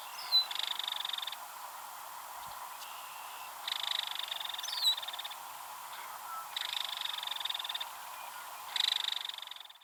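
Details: Female belted kingfisher at Ted Shanks Conservation Area, Pike County, Missouri, rattling excitedly after another kingfisher, possibly her mate, flew past rattling. Dry, harsh rattle bursts of about a second each, four loud ones and one faint, separated by quiet gaps.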